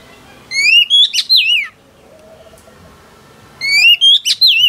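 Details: A wild-caught female oriental magpie-robin sings to rouse males, giving two phrases of loud, rising and wavering whistles about three seconds apart over quiet background hiss.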